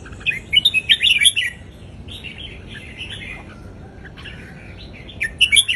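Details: Indonesian-type red-whiskered bulbul performing a southern folk-style song for tutoring young birds: an opening run of fast, chirpy whistled notes, softer chatter in the middle, then another brisk burst at the end.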